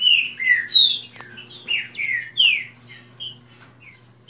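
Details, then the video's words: Several kept green-winged saltators in a fast singing contest: loud, clear whistled phrases, some slurred downward and some rising, overlapping in quick bursts with short pauses between. "Disputa de canto rápido Esquente seu trinca ferro"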